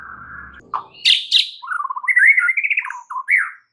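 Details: White-rumped shama with 'isian' filler song, played to coax a silent caged shama: a low steady whistle, two harsh buzzy notes, then a rolling, warbled phrase ending in a short rising note.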